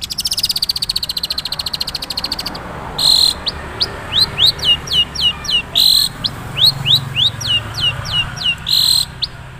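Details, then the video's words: Long-tailed shrike of the Madura type, original voice with few learned fill-in phrases yet: a rapid buzzy rattle, then a quick series of sharp, rising whistled notes broken by harsh scratchy bursts. "suara asli cendet madura"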